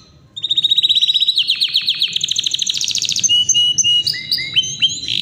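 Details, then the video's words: A Yorkshire canary in full, powerful song. A rapid buzzing trill gives way to a higher run of repeated notes, then a varied series of quick downward-swept chirps and whistles. "Yorkshire canary powerful non stop singing"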